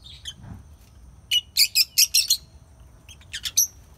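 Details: Lovebird chirping in a lively burst: a rapid run of loud, shrill, squeaky chirps in quick succession, then a few more high tweets after a short pause.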